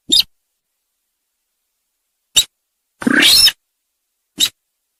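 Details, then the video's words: Sintar sawah call played as a lure for trapping. Brief sharp ticks are spaced about two seconds apart around a single half-second grating, raspy note, in otherwise complete silence. "Suara Pikat Burung Sintar Sawah"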